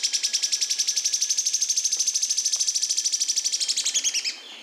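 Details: Yellow-chinned spinetail from Brazil singing a long, rapid, dry trill of high, evenly repeated notes for about four seconds, steady in pitch and ending abruptly.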